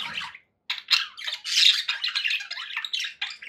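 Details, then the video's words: Contented pet budgerigars give a dense, raspy warble of fast chattering notes and squawks after a short opening burst and a brief silence. "happy budgie sounds"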